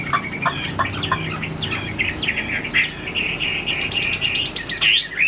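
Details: Chinese hwamei kept caged for sale, performing on a high perch: scratchy broken notes give way to a rapid run of high, bouncing whistles ending in a sharp upward slur.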